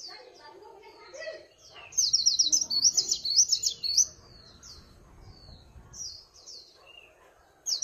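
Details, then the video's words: Swinhoe's white-eye heard without background noise: scattered high chips build into a loud, rapid, jumbled warble lasting about two seconds, followed by sparse thin notes and a fresh burst at the close. "Tiếng Chim Khuyên Líu Pha Chòe [ Không Tạp Âm ]"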